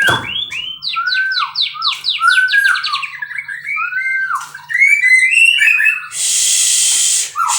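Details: White-rumped shama bred in captivity repeating a series of arched whistled notes, then mellow downslurred whistles and high twitters, ending with a sustained loud hiss.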